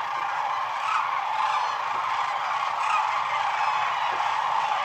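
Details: Sandhill cranes at night on the Platte River at the peak of their northern migration, several hundred thousand present, their rolling, rattling calls overlapping into a steady, unbroken roar with no single voice standing out.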